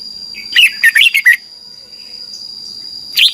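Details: Thai cage red-whiskered bulbul singing, a recording meant for young birds to learn from: one rapid phrase of about five chirpy, slurred whistles, then quiet and the start of another note at the end.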